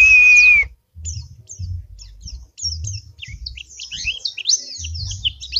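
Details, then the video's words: A kept white-eye (pleci) from Semarang sings a rapid, high twittering run of thin, sliding notes after a brief steady whistled tone, with soft low knocks underneath. "Pleci Dakun Gacor Isian Mewah"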